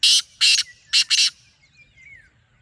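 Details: Wild black francolin call, close and loud: four harsh, grating notes in a quick broken rhythm, two, then a pause, then two, followed by faint twittering from small birds.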